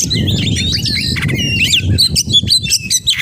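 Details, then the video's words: Oriental magpie-robin delivering mimicry-rich 'full isian' song: rapid slurred whistles and chips, then clear pure whistled notes toward the end, all over a strong low rumbling noise. "Kacer Gacor Full Isian"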